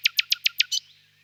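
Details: Nightingale singing on a warm spring evening in a birch grove: a brief phrase of five sharp, evenly spaced high notes, then a softer closing note, with no other sounds.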